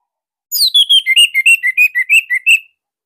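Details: Orange-headed thrush, a Bali bird, singing a master song used to coax other thrushes into song: a rapid series of about eleven clear whistled notes dropping from a high start, then repeated near-identical phrases in quick succession.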